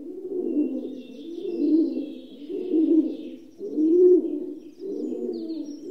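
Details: Deep purring coos of a rock dove, five rounded, burbling phrases of roughly a second each, the fourth swelling louder, while soft high twittering of other birds sits in the background.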